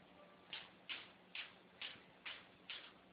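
An African grey parrot gives six short, harsh clicking squawks, evenly spaced about every half second, over a faint background hum.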